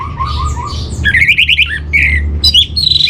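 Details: Orange-headed thrush song meant as a master for training: low warbled notes that give way to rapid high trilled phrases and short sharp chirps, with steady background hum.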